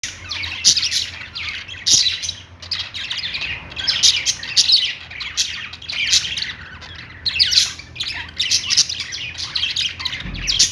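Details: Several budgies, described as happy, keep up a dense chattering warble of fast chirps, squeaks and harsh squawks in overlapping bursts, with loudness swelling and dipping throughout.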